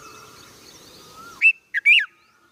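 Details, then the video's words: A young red-vented bulbul gives three quick, bright chirps at around two to three kilohertz after a faint steady hum; no other birds are heard. "Baby Red Vented BulBul"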